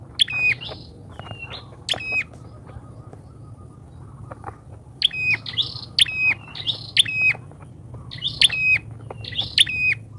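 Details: Bar-winged prinia lure recording with irregular bursts of sharp rattling notes and short high whistles, sparse at first then clustering into rapid runs in the second half.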